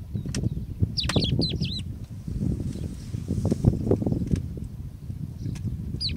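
A crested lark gives a quick run of three or four high, liquid slurred whistles, then one more at the end, over heavy low wind rumble.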